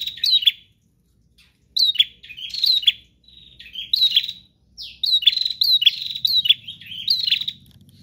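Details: Prinia song in separate clusters of quick, piercing chirps with quiet gaps between them, growing denser toward the end, with a low hum entering in the last seconds.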